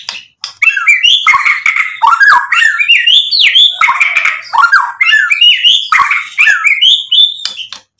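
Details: Energetic white-rumped shama song used to stir up rival birds: fast sequences of slurred, rising and falling whistles and chips, densely packed, with short gaps between bursts.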